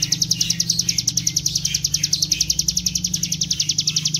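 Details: Bar-winged prinia lure song in the rapid 'gacor ngebren' style, a steady run of sharp high chips near four per second with a low hum underneath.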